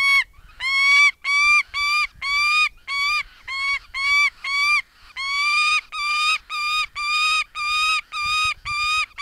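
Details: Female saker falcon at a nest with nestlings in southern Siberia, vocalizing loudly while holding prey brought by the male: loud, harsh, ringing notes, about two per second in a steady series. Saker falcon.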